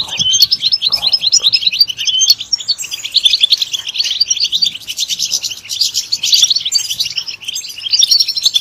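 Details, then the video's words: Goldfinch song from a European goldfinch: fast, liquid twitters and trills flowing almost without pause, with a faint low hum underneath. "Comprehensive guide to stimulating and singing the goldfinch"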